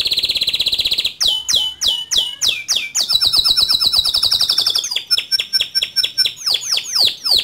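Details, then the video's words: Male canary singing actively in a rolling, high-shooting style, offered as tutor song for young canaries: a buzzy high trill, then fast repeated downslurred notes and rapid rattling trills, with a thin whistle near the end. "Suara Kicau Kenari Jantan Gacor Ngerol Nembak Cocok Dijadikan Masteran Kenari Muda"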